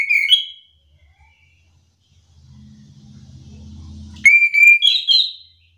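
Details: Chestnut-capped thrush lure song to spark back-and-forth singing: a brief whistled phrase, a stretch of low engine-like hum, then a clear drawn-out whistle rising into quick twisting notes.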